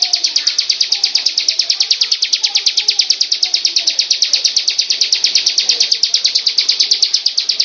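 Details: Bar-winged prinia singing a long, unbroken run of bright, high chirped notes repeated roughly seven times a second, very regular in rhythm, over soft indistinct background sound.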